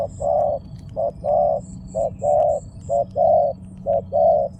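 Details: Spotted dove giving a repeated coo phrase, a short low hollow note followed by a longer drawn-out one, in paired pattern about once a second, with a faint high intermittent whine and low background hum.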